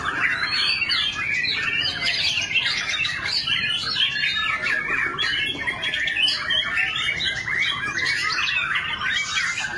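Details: White-rumped shama (murai batu) singing a dense, continuous run of varied whistles, rapid warbles and sharp chattering notes with little pause, over faint background noise.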